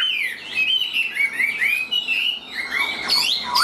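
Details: Caged Chinese hwamei, tame enough to sing when carried by hand, pouring out a continuous high, fluid warble of slurred whistles ending in steep rising sweeps.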